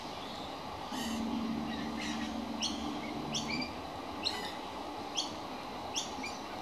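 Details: Baby magpie calling from hunger, October 2015: rasping, noisy repeated calls spaced about a second apart, with a low steady engine-like hum during the first few seconds beneath them.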